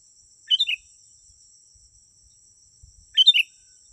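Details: Sooty-headed bulbul singing, played to lure wild birds closer: two short bursts, each of three quick, bright chirped notes, about 2.7 seconds apart. A steady high insect whine runs underneath, with near silence between bursts.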